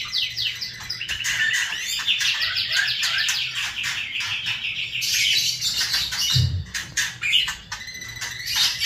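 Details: White-rumped shama delivering a dense, varied burst of song: rapid rattling kretekan runs, stacked fast chirps and high sweeping notes running for several seconds, with a brief low thump near the end.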